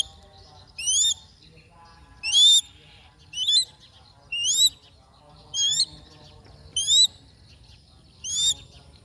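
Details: Crested goshawk while hunting, giving seven high, thin, wavering whistles that rise and wobble upward, each about a third of a second, repeated roughly every 1.2 seconds against faint background chatter.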